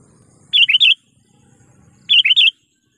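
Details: Sooty-headed bulbul decoy bird calling to lure wild rivals: two quick bubbling three-note phrases, the notes rising and falling, spaced about one and a half seconds apart over a soft low rumble.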